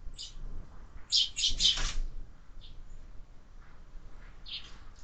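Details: Sparrows and their growing brood of fledglings at a window-mounted feeder; a quick burst of loud overlapping chirps with wing flutter, then softer scattered chirps trailing off.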